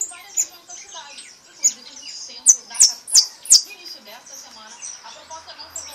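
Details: Pardo goldfinch singing in the repique style: thin, high twittering notes, then four loud, sharp, downward-sweeping notes at a fast regular pace, followed by softer tinkling, with a faint low murmur underneath.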